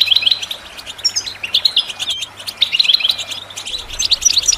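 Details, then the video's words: European goldfinch song intended for training birds: short clusters of quick sharp chirps and buzzy notes, each burst lasting under a second and recurring about every second, with a soft background hum. "The finest goldfinch chirps and songs for listening and training birds"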